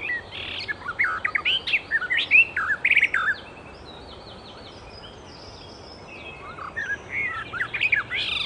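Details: Icterine warbler from the wild delivering varied song bursts of sharp chirps and slurred whistled notes, then falling silent for about three seconds before resuming with more scratchy, rising and falling phrases.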